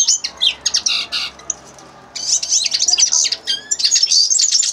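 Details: Common linnet singing: rapid twittering bursts of high chirps and short whistled notes, a brief pause near two seconds, then a long continuous warbling run with trills and buzzy elements.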